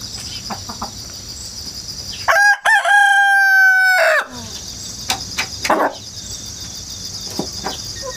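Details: Countryside rooster, hatched at home and kept in the country, crowing again and again on 1 September 2019, captured by GoPro and wireless microphone; insect chirring, then a loud crow of about two seconds with a rising start and level held end, insects resuming after.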